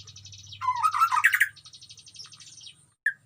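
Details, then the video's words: White-rumped shama in a breeding colony cage: a brief loud phrase of tumbling whistles between buzzy rattling notes, then one sharp whistled note at the end, over a low hum. "murai gacor di kandang koloni"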